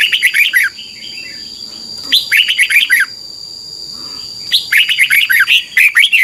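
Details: A red-whiskered bulbul in Thailand, recorded as tutor song for training birds to copy, gives bubbly, chirping song phrases in three bursts of about a second, with quiet gaps between, over a steady thin high whine.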